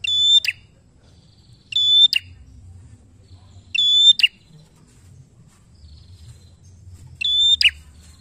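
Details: Energetic bar-winged prinia, sung to encourage other birds to sing: four bright whistled phrases with a sharp clipped ending, repeated at uneven intervals of about two seconds.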